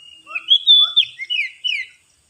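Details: Oriental magpie-robin lure song used for trapping birds: a bright whistled phrase, a long steady note sliding into rich warbled and descending slurred notes, short and clear with no other sounds.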